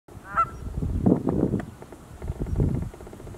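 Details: A cackling goose, possibly a juvenile Aleutian cackling goose, recorded 18 December 2019, gives one short, high, nasal honk, then a run of lower, rapid gabbling calls over about three seconds.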